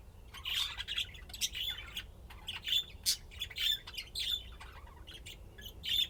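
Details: Budgerigars playing and chirping: a steady run of buzzy squawks and short warbling chirps with hardly a pause.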